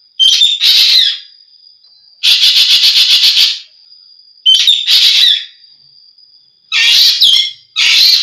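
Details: Green magpie calling in loud, harsh, rasping bursts, each about a second long, including a fast pulsed rattling burst, with short whistled notes at their start and a steady high thin tone running beneath throughout.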